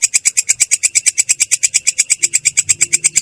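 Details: A long-tailed shrike in rolling song, its tone clear but harsh, pours out brisk, evenly timed high scratchy notes, about seven every second.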